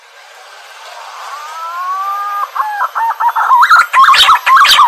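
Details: Lure calls of a green pigeon: a faint rising whistle swells into clear, slightly climbing tones, followed by a rapid series of short whistled notes about two per second, ending in harsher buzzy notes.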